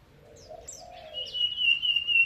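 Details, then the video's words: Mountain white-eye from Mount Bromo: a clear, sustained whistled note that rises, then holds steady and slightly falls over the final second. Brief high thin chirps come before it, and a soft lower warbling tone sounds underneath. "Pleci Montanus Gunung Bromo"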